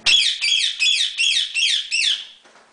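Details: A pet rose-ringed parakeet making alarm-like noise gives six harsh, grating screeches in quick succession, about three per second, high-pitched and buzzy, with nothing else heard.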